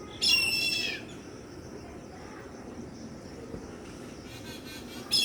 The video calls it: Sound of small (baby) Indian grey hornbills